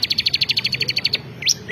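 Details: Ciblek kristal (bar-winged prinia), a champion bird singing actively: a fast run of about fifteen sharp, evenly spaced high chips. Two quick upward-sweeping notes follow at the end.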